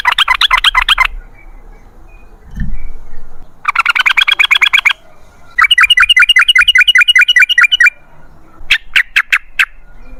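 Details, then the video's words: Yellow-vented bulbul giving 'ropel ngalas' song, several bursts of fast, rattling chirps, some tightly packed and some evenly spaced, with short gaps and a soft low thud between phrases. "MASTERAN TRUCUKAN TERBUKTI AMPUH : Ropel Ngalas"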